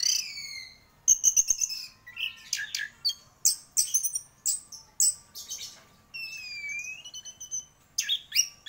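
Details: Orange-headed thrush, a champion singer in full song: varied whistled phrases, long falling slurs and quick rattling notes mixed with sharp chirps, delivered in bursts with short pauses.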